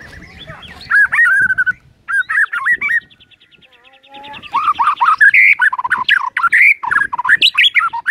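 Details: White-rumped shama song used as a morning lure, full of mimicked phrases: rich warbled whistles in loud bursts, a soft trilling pause, then a dense run of slurred varied notes.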